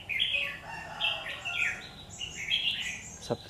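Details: Red-whiskered bulbul singing in a fight during trapping, 17 October 2019: rapid run of clear, warbled whistles rising and falling, phrases following closely one after another, ending with a sharp knock.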